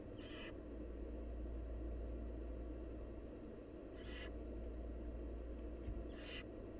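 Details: Wild barn owl nestlings begging as their mother feeds them at the nest: three harsh, breathy hissing bursts, each about half a second, spaced irregularly over a steady low background hum.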